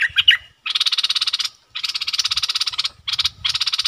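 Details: Decoy bulbul luring a rival bird to fight: long loud buzzy rattles of fast pulses, each lasting about a second, following a short chirpy phrase at the start.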